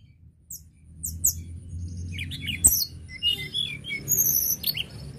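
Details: Sunda robin in full song: scattered sharp high chirps give way to a busier run of short twisting whistles and quick trills, with a steady low hum behind.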